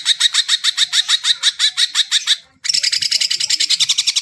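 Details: Greater green leafbird pouring out quick, evenly spaced bright notes, each with a downward tail, pausing briefly before a denser burst; the recording is meant to coax non-singing birds to sing.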